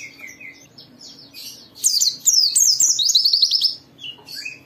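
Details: White-eye pleci, a vigorous singer whose voice is used to trigger others into song: soft scattered calls lead into a rapid, bright, high chattering phrase lasting about a second and a half, then quieter notes.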